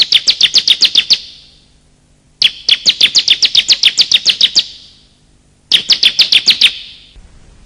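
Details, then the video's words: Bar-winged prinia calls, male and female, for luring wild birds or coaxing quiet ones to sing: three quick trains of sharp, high, evenly spaced chips, the longest about a dozen notes. "pikat suara burung ciblek"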